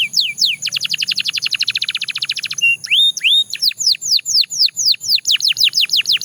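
A Belgian canary sings a fast, rolling trill of rapid high notes, then shifts into slower, sweeping downward whistles repeated in quick succession.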